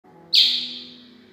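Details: A young captive-bred Chestnut-bellied seed finch learning to sing gives one high, rough, slurred note that fades quickly, a fragment of practice song over a faint steady hum.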